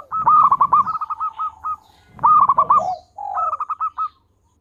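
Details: Lively local zebra dove song used to encourage other birds: a long run of quick staccato notes that slows and fades, then two shorter phrases of soft coos followed by clipped bursts.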